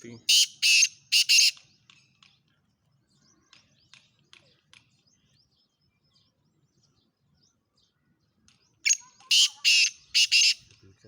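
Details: Black francolin from Khushab giving harsh, grating, broadband calls: a burst of three rasping notes at the start, a long quiet stretch with faint ticks, then another run of four loud scratchy notes near the end.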